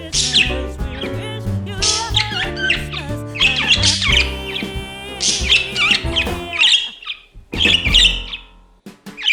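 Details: Pet budgerigar singing along to 'We Wish You a Merry Christmas' for the new year 2021, giving scratchy, buzzy bursts of warbling chatter every couple of seconds over loud sung Christmas music.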